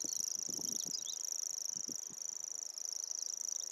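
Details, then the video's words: Common grasshopper warbler singing an unbroken, high-pitched mechanical reel like a ticking insect throughout, with a few faint low knocks early on. "Grasshopper Warbler and its song"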